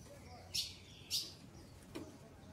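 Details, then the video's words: Two bright, sharp chip notes about half a second apart, then a weaker third, from a female ultramarine grosbeak calling to solicit mating. "Fêmea de Azulão Shakira Pedindo Gala"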